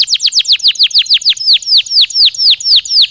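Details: Canary song played to stimulate birds and support the breeding season: fast repeated downward-sweeping whistled notes, about four per second, high and bright, forming an even rolling trill with faint higher overtones.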